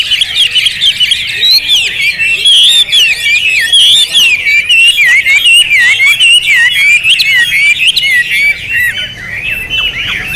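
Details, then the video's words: Hwamei in a long, continuous, powerful song of fast varied whistles and trills, notes tumbling up and down with little pause for ten seconds, loud and full throughout. "Hwamei Raja Tega Volume Dasyat"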